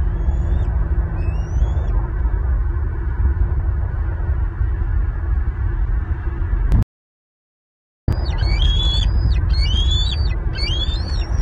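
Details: Bald eagle family at its Southwest Florida nest, April 2023, where fledged eaglets returned and received fish. A few high, slurred whistles come early, then a gap, then a run of sharp, rising chittering notes, all over heavy low wind noise.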